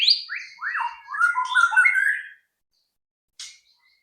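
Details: Song of a white-rumped shama intended to provoke other birds to sing: a continuous two-second stream of sweeping whistled slurs and trills, followed by silence and one brief harsh note.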